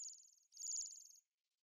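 Two very high, thin, buzzy trills from a Bohemian waxwing, each a rapid sibilant 'sirrr' lasting about half a second, in an otherwise quiet setting.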